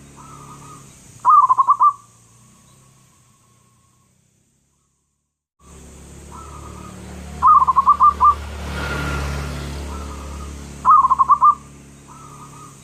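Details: Local zebra dove with a loud, persistent voice: three separate bursts of rapid rolling coos, each about a second long, with soft single coos between, over a steady low engine-like hum and a stretch of near silence.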